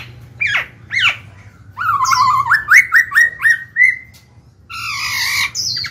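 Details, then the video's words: Song of a black-throated laughingthrush, meant to prompt young wild-caught birds to open up and sing: two sharp swooping notes, then a run of six or seven rising, bubbly whistles, ending in a harsh, buzzy phrase. "Khiếu bạc má chuyền hót kích bổi mở mỏ ngay."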